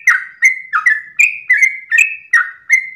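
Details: Sooty-headed bulbul delivering its long dawn song in early morning: rich bubbling whistles, each starting low and stepping up to a steady higher note, in a continuous rhythmic series about three per second.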